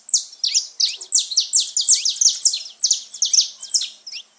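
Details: Saffron finch singing, a recording meant to fire up pet birds: rapid run of loud, bright chirps with sharp downward sweeps, about two or three per second, steady and continuous throughout.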